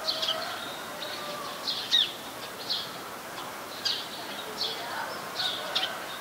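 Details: Eurasian tree sparrow in Ubon Ratchathani, Thailand, on 22 November 2019, a very common resident: bright, high chirps in loose clusters, some doubled, over a faint hissy background.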